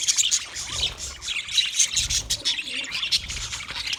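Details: Chirping budgerigars give a dense mix of high, sharp tweets and warbles from many birds, unbroken from start to finish, with faint low rumbling beneath.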